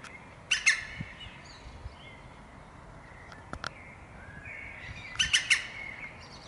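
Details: Japanese green woodpecker (Picus awokera) visiting, giving two short bursts of harsh, chattering calls, three or four quick pulses each, about five seconds apart, over quiet outdoor background.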